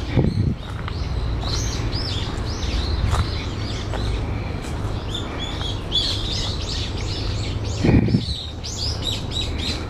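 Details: A brown-eared bulbul, recorded on 14 October 2015 around 13:25, gives busy runs of high, squeaky chirps and short rising notes over a steady low rumble with two dull thumps. The recorder wonders whether this is an earthquake-warning call.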